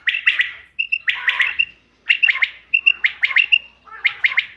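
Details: Common quail calling, dated 5 June 2025, sound used to lure quail for hunting: groups of bright chirps each preceded by a short whistled note, repeated about every second with clear gaps.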